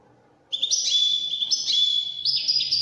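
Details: European goldfinch singing Moroccan Widani-style trills: after a half-second of quiet, a bright, rapid twittering begins, with high tinkling notes and buzzy runs shifting in pitch and continuing without pause.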